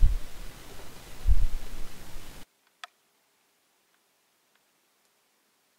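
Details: Low rustling and handling noise gives way to near silence broken by a single sharp click, with no animal voice.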